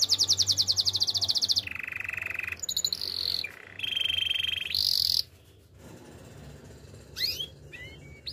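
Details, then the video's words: Canary training song: a loud, fast, buzzy trill, then alternating sustained low and high trilled tones, followed by a quieter gap with a few faint, sweeping chirps. "Bird sounds canary chirping - The beautiful canary song"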